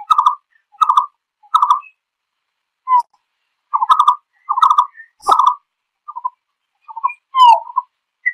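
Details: Flock-gathering call of a green-billed malkoha: clusters of hoarse, clucking notes at one pitch, interrupted by softer single notes, a slurred downward note and a few faint high peeps, with no other sounds.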